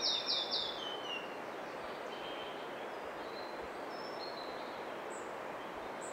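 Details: A Red-breasted Flycatcher sings at Kosaře: a quick, high, sweet phrase that falls in pitch, then a few faint thin notes over a steady hiss of background noise.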